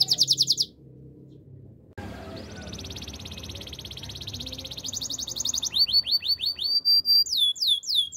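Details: Canary training song opening with a short high trill, a pause with background noise, then a long buzzy rattle that grows louder and ends in fast, repeated downward-curving whistles.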